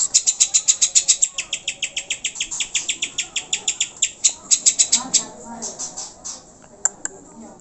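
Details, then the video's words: Greater green leafbird song for prompting captive birds to sing: fast repeated high, sharp notes for about five seconds, then quieter scattered chips and faint low sounds. "PANCINGAN CUCAK HIJAU AGAR GACOR DAN CEPAT EMOSI"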